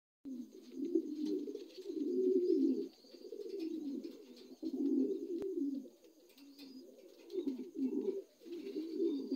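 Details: Young adult Lahore pigeons, kept indoors, give low, throaty cooing in long overlapping bursts that swell and fade over several seconds, with faint high chirps above.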